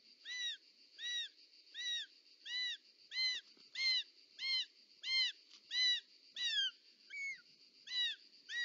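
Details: Short-toed snake eagle at its nest in Parc Natural dels Ports, Catalonia, on 18 July 2024, as the mother arrives with a snake: a steady series of about a dozen arched, whistled notes with rich overtones, roughly one every 0.7 seconds, against a constant faint hum.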